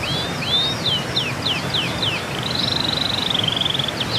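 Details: Training song for moulting and post-moult birds: a few high, swooping whistled notes, then a long rapid, even trill held at one high pitch, over a steady background hiss.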